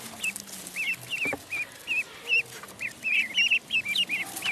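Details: Duckling in a pond giving high, thin peeps that rise then fall, repeated rapidly at about three per second in uneven bursts, with faint low background rumble.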